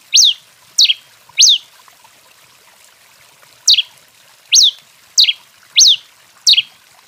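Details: 'Canto 21' song from an excited Rufous-collared sparrow: short whistled slurs, arched or falling, in a fast run of three, a pause of about two seconds, then five more in steady succession.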